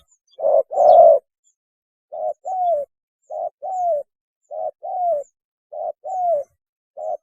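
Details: Spotted dove giving its mating call, a recording intended to lure birds in; begins with a strong double coo, followed by four evenly spaced pairs of a brief coo and a drawn-out mellow coo, with silence between.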